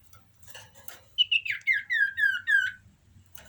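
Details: Common iora in breeding condition, giving a short run of about six slurred whistled notes that step downward in pitch, each note dropping slightly, delivered quickly after a faint chirping lead-in.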